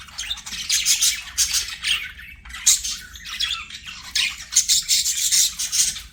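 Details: Budgerigars singing and playing, a busy chatter of harsh squawks and scratchy warbles in bursts roughly every half second, high-pitched and noisy throughout.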